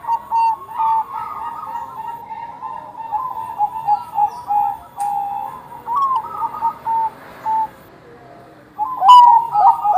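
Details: Bangkok-type zebra dove, a keen singer used as a lure for other doves. Repeated bursts of soft, rolling, whistled coos span ten seconds, with a quiet gap before a final louder phrase.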